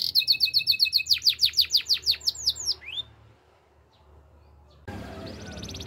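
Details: Canary song for training: a fast run of repeated downward-sweeping whistled notes, a single rising slur, a near-silent pause, then a soft buzzy trill starting.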